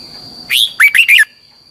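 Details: Red-whiskered bulbul decoy song for voice training, in the double twisted style: a loud upslurred opening note followed by a tight burst of three twisting chirps, over a thin continuous whine.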